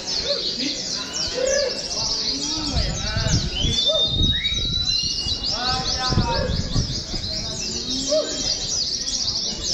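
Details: An Oriental white-eye in a simulated singing-contest hanging session sings a dense, continuous run of high, thin twittering chirps with a few sharp whistled notes, over low background voices and other sounds.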